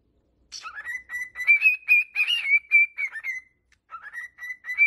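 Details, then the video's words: Pet cockatiel singing for song training: a continuous harmonic whistle starting low, rising and then holding a wavering tone for about three seconds, followed after a pause by a second rising whistled phrase. "Training Cockatiel to singing"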